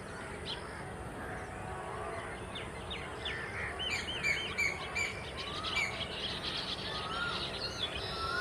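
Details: Baya weavers, a flock-living weaverbird of grasslands, scrub and cultivated land, calling together: many overlapping high chirps, short buzzy notes and thin rising whistles, growing busier after four seconds, over a steady broad background hiss.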